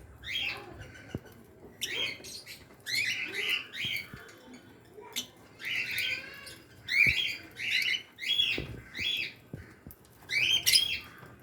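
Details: African lovebird colony in an aviary, including lutino, Fischer's and blue-masked birds, giving repeated shrill squawking chirps in bursts roughly every second or two, with soft clicks and rustling between.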